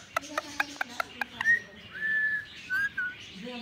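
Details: A green Indian ringneck parakeet whistling: a row of sharp clicks about every quarter second, then long, clear, level whistles, some with a short rise at the end, mixed with lower, voice-like chatter.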